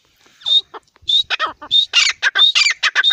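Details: Partridge calling in a rapid series: sharp whistled notes alternate with harsh, buzzy, broadband bursts, about one and a half notes per second, growing louder and denser toward the end.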